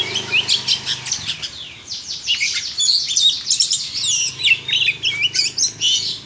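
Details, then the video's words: Champion Oriental magpie-robin (kacer) let out to fly free, singing a dense, fast stream of high, varied chirps, trills and short whistles with hardly a pause, about two to three notes each second; faint low hum beneath. "Burung Kacer juara di umbar"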